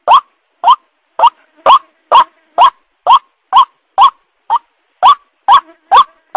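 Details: White-breasted waterhen calling to lure birds: repeated rough, rising croaks at a slightly uneven pace, about two per second, with faint softer notes in a few of the gaps.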